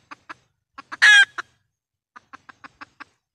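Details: Red junglefowl hen calling as a decoy for trapping wild junglefowl. Soft clucks build to one loud raspy squawk, a pause follows, then a steady series of quick clucks.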